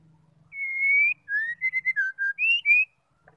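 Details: Female white-rumped shama call, used to stir males into singing. A sustained, slightly rising whistle comes first, followed by a run of short clear whistled notes at varying pitches, ending in two brighter rising whistles.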